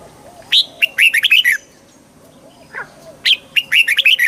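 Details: Red-whiskered bulbul song with two bubbly phrases of crisp, downward-slurred whistles, separated by a pause holding a faint softer call.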